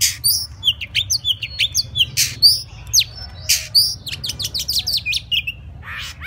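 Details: Singing Oriental magpie-robin, style "múa 13 kiếm": rapid high whistled notes and sharp chips interspersed with rasping bursts, ending in a quick run of descending ticks and a final harsh note.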